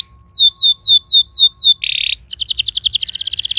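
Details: Canary song used to start a silent canary singing: a series of falling whistled notes, a brief harsh buzz, then a quick rattling trill.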